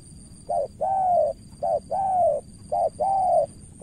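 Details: Cooing spotted dove from Cà Mau, Vietnam, a decoy facing a skilled rival. Three clear phrases, each a short coo then a longer, gently descending one, spaced about a second apart.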